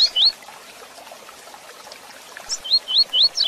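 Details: Tui Tui Zel Zel song, fast style, from a Double-collared seedeater used in training and pairing: a rising whistle, a short silence, then a brisk string of three or four slurred upward whistles with a buzzy note.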